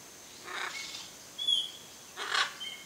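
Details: A pair of wild hyacinth macaws visits a Brazilian backyard to feed on Macaúba palm coconuts; two harsh, raspy squawks about two seconds apart, with a thin high whistle from another bird between them.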